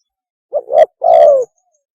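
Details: Spotted dove mating call used as a lure: one phrase, a short rising double coo followed by a long, smooth coo that slowly falls in pitch.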